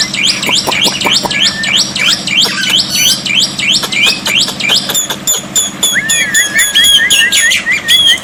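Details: Black-winged myna song used to tutor silent birds into answering, in water therapy: a loud, steady string of high sweeping notes about three per second, sharp clicks, then a wavering whistled trill near the end.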